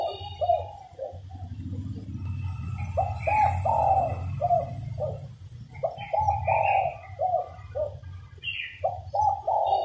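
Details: Female spotted dove cooing to prompt males into singing, short low coo phrases repeating with irregular spacing, several overlapping voices, occasional higher chirps and a constant low hum in the background.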